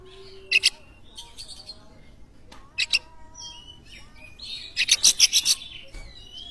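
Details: Oriental magpie-robin song played to prompt other birds into singing: scattered clusters of harsh high chips and brief whistles, ending in a fast loud string of scratchy notes over soft background noise.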